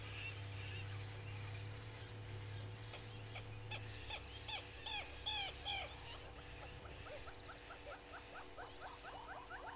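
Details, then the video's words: Southern yellow-billed hornbill at Gowrie dam waterhole, Djuma Game Reserve, Sabi Sand Wildtuin, South Africa, 06:53 on 24 April 2022: a series of clucking notes that speeds up into a rapid run, over a steady low hum. "Yellow-billed Hornbill"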